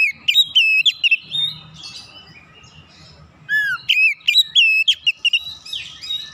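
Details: Oriental magpie-robin in energetic song to stir other magpie-robins: rapid clusters of bright whistles and clicks, a quieter gap, then another loud run of varied notes including a low downslurred whistle.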